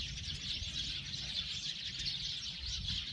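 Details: Continuous high chirping from a group of Eurasian tree sparrows, closely packed tweets rising and falling slightly in loudness, faint low noise behind.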